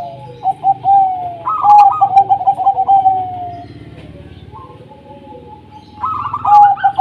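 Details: Local zebra doves singing as a lure to start other doves calling: dense rapid pulsed cooing in long rolling phrases, a sustained tone between bursts, over a steady low background hum.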